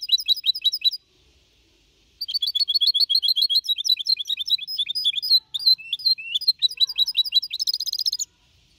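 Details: Young goldfinch hybrid, four and a half months, sings a clean Malaga copy song, 2021: short high twitter, a pause, then a long varied run of rapid chirps and slurred notes ending in a buzzy trill.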